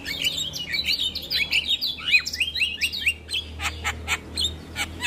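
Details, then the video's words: Male Javan myna singing vigorously in the morning, song full of fill-in phrases: rapid run of chirpy, rising and falling whistled notes, then a series of sharp clicky pulses, with a low steady hum beneath. "Masteran Jalak Kebo Pagi Hari Jalak Kebo Jantan Gacor Full isian"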